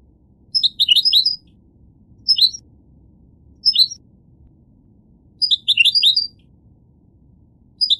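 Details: Goldfinch giving short clusters of high tinkling chirps, some brief single notes and some fuller twittery bursts, spaced one to two seconds apart over a soft low hum.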